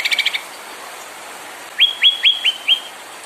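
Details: White-rumped shama song played to stir other birds into singing: a short buzzy rattle, a pause, then five sharp upward-flicked whistles in quick succession.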